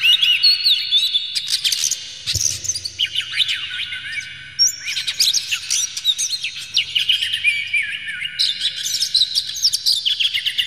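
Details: Agitated Oriental magpie-robin with tail open, delivering full varied song meant to provoke rival magpie-robins: a rich torrent of fast whistles, trills and harsh chattering, shifting between phrases, with a brief thump and faint low hum beneath.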